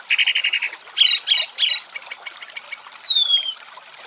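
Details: Chalk-browed mockingbird song from Brazil: a fast rattled trill, a few harsh clipped notes, then a long clear descending whistle, over a steady trickling background.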